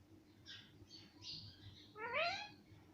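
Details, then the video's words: A parrot taught to say mummy and papa: soft breathy syllables at first, then a louder rising, harmonic-rich phrase toward the end, with low background rumble. "मम्मी पापा बोलने वाला तोता - talking parrot"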